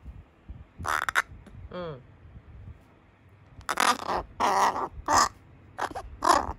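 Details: Rescued young carrion crow, voice breaking and almost speech-like, answering its keeper in September 2020; rough, grating caws start after a single early note, then four strong bursts follow closely at the end, with a soft human voice between.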